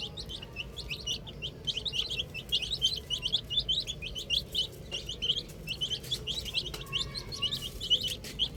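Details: Busy group of young chicken chicks playing with a ball, peeping continuously: sharp high cheeps, many callers at once, forming a thick twittering texture over soft low background noise.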